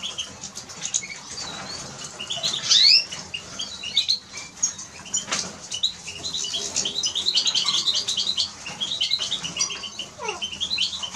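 Eurasian siskin song: a fast, high twittering run of chirps broken by drawn-out wheezy rising notes, with soft wing flutters throughout.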